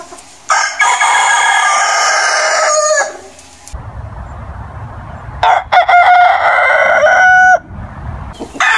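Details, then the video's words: Rooster crowing in the morning: two long, loud, harmonic crows about five seconds apart, each rising then holding a strained, drawn-out note before breaking off, with quieter low rumble between them. "Roosters crowing sound | Diffrentt rooster crowing in the morning"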